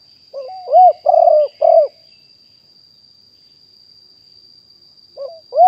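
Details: Decoy cooing of a wild spotted dove, recorded live in 2021 to attract wild birds. A brief rising intro and four husky coos, silence for about three seconds, then the next phrase starts. A steady faint whine stays in the background.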